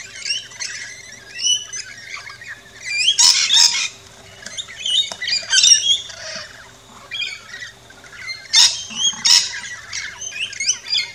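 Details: Several rainbow lorikeets feeding at a backyard station in Australia, trading piercing, grating squawks in irregular bursts, interspersed with thinner high chirps.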